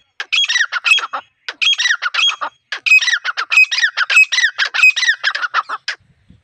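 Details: Wild female grey francolin, call used to lure birds for trapping: a rapid, continuous series of harsh, grating squawks in clustered runs, about six seconds long with only short breaks.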